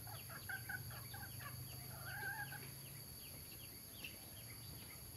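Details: Adult mixed-breed red junglefowl, males and females, at Nam Som, Udon Thani, Thailand: short clucking notes in quick bursts, then a drawn-out grating call, over steady insect hiss and a low hum.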